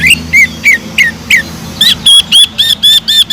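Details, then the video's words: Greater green leafbird singing energetically, its song filled with mimicked kingfisher calls: five slurred, rising whistled notes about a third of a second apart, then a quicker run of bright, even notes repeated several times a second. "PANCINGAN CUCAK IJO GACOR ISIAN ISTIMEWAH TENGKEK UDANG"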